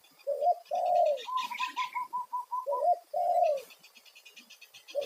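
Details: Spotted dove giving a loud one-'kuk' call used as a lure to draw wild doves, in a series of deep, rounded coos, several longer swelling notes and a quick run of short evenly spaced higher coos, with faint bird chirps above.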